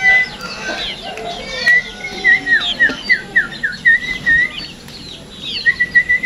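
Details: A tame, well-kept sooty-headed bulbul gives a run of short whistled notes, about a dozen quick even pips at one pitch, a pause, then a few more, over soft background chirps.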